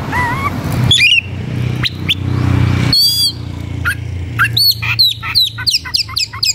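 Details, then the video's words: Agitated white-rumped shama looking for an opponent to fight, giving rising whistles, a rapid trilled burst and then a fast series of clear falling whistled notes, with a low background rumble. "Suara kacer gocor dan emosi cari lawan tarung"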